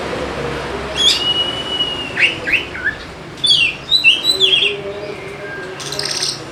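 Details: Oriental magpie-robin (kacer) song meant to prompt lazy birds to sing: a long steady whistle, then slurred notes and a burst of quick high chattering phrases, with steady background noise.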